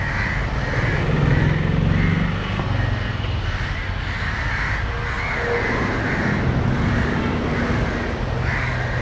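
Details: Several crows in Matara, Sri Lanka, calling against a dog approaching a struggling crow on the ground while one swoops over it. Rasping caws repeat irregularly, mixed with loud vehicle and engine noise.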